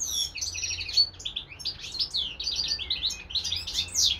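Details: Pet European goldfinch, with a serin-canary hybrid nearby, pouring out continuous high twittering song: quick chirps, short trills and rising and falling slurred notes. Light background hum.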